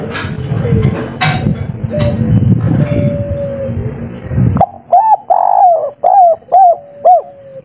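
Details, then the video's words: Local wild spotted dove of the kuk 3 style cooing. Rough noise gives way to a series of short, soft, rounded coos with a final drawn-out note. "Derkuku kuk3 lokal gacor ngamuk bikin ribut full emosi || suara empuk"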